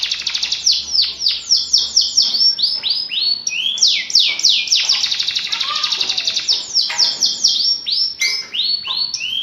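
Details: Canary in vigorous gacor song, kept as a tutor recording for silent birds: fast rolling trills alternate with series of loud descending whistled sweeps, long and almost unbroken, with a faint low hum beneath.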